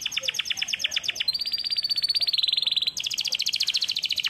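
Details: Caged canary in song training delivers a continuous chain of fast high trills, each section changing pitch and texture, from sharp repeated chips to a smoother rolling tour and a brighter final trill.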